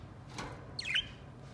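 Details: Budgerigar, one of three kept together and playing affectionately, gives a single short chirp that sweeps downward, preceded by a faint soft rustle, with a low steady hum in the background.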